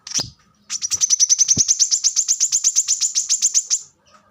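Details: A high chip opens, then the plain-throated sunbird, or kolibri kelapa, pours out a steady, fast train of thin, sharp notes lasting about three seconds before stopping abruptly.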